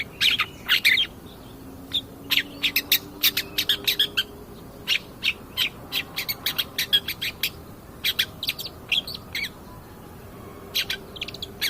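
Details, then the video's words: Long-tailed shrike singing actively as a cendet pastol in a lure recording for training other birds. Rapid, irregular clicks and chirps with a few rasping notes, strung over nearly twelve seconds. "pancingan cedet pastol gacor"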